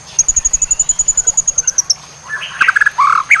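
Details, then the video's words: White-rumped shama, training recording for fighter songbirds: a rapid series of about twenty high thin ticking notes, then rich varied whistled phrases dropping lower, with a short rising flourish at the end. "MASTERAN LEVEL DEWA BIKIN BURUNG FIGHTER GACOR MAKSIMAL"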